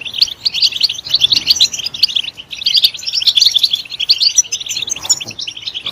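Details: European goldfinch song played to stimulate other goldfinches to sing: a fast, loud, liquid twittering of high tinkling notes, two bursts broken by a short pause near two and a half seconds.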